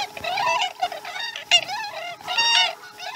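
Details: Osprey calling during morning feeding at its Chesapeake nest on 2019-12-12: close, strident series of harmonic whistles, wavering and rising-falling, delivered in three rapid clusters about once per second, steady hum underneath.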